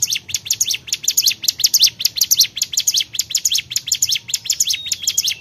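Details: Energetic song of the Bar-winged prinia, called cigun: steady, regular bursts of piercing high chirps, each tight group following the last roughly every half second.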